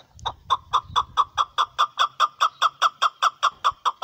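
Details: Chukar partridge giving a steady series of loud, harsh chuck notes, about four per second, evenly spaced and clipped, with a faint low rumble underneath at the start.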